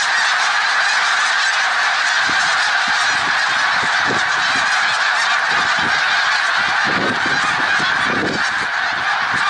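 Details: Snow geese at Middle Creek Wildlife Refuge, Pennsylvania, on 1 March 2021: a dense, continuous chorus of many honking and yelping calls from a large flock, overlapping without pause.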